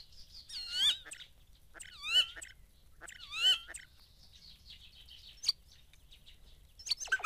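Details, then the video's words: Common starling singing in morning haze near Dohr in the Eifel, Germany: three similar wavering harmonic phrases about a second apart, followed by sharp clicks and short chattering notes. "Gesangskünstler Star zwitschert im Morgendunst"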